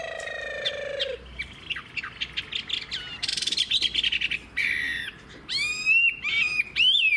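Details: Wild-caught old Chinese hwamei with fig-leaf tail and long body, singing: after a low tonal sound, bursts of harsh buzzy notes alternate with clear upward-sweeping whistles and rapid chattering phrases.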